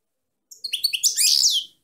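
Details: Bright, continuous twittering song of a female European goldfinch, a rapid run of high tinkling notes swelling into a dense buzzy jangle.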